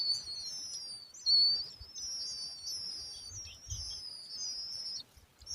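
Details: Young larks, hungry and thirsty chicks, keep up a high, thin, wavering begging chorus of overlapping squeaky whistles, almost without pause, with faint low rustling underneath.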